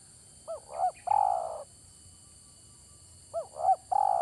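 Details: Spotted dove call played to lure doves for trapping, heard twice: two quick looping coos followed by a drawn-out purring note, repeated about three seconds apart against quiet surroundings.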